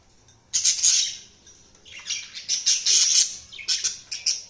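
Budgerigars chirp in bright, scratchy bursts of high warbling notes, several overlapping chatters in under five seconds.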